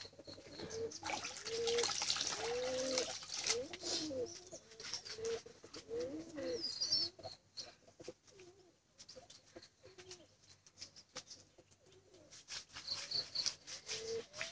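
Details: Pigeon chicks crying for food give soft, low, hoarse cooing notes in quick uneven runs, with a few thin high squeaks and some background rustling.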